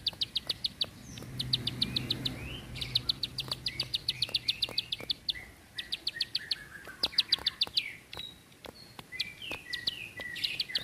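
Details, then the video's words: Bar-winged prinia (ciblek sawah) giving a long, tight run of fast bursts of high ticking notes, each about a second long, mixed with short rising chirps, with a low rumble early on. "Tembakan Panjang Rapet Ciblek"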